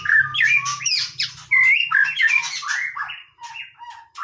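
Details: White-rumped shama singing casually, loud and close: warbled, slurred whistles and chattering notes in rapid succession, then softer repeated whistled phrases that fade near the end. A faint low hum is heard early on.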